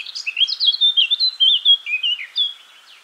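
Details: Eurasian blackcap song: a rich, fluting phrase of clear whistled notes wandering between mid and high pitch, warbling quickly for about two and a half seconds before fading.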